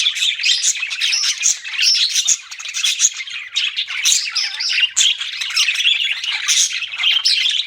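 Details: Pet budgerigars chirping in a dense, continuous chatter of rapid tweets, warbles and scratchy squawks, steady throughout with no pauses.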